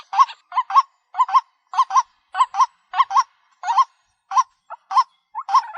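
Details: Paired, clipped kru-wak notes of a White-breasted waterhen lure call, each pair nasal and hooked, repeated in a steady beat of about two pairs per second over silence.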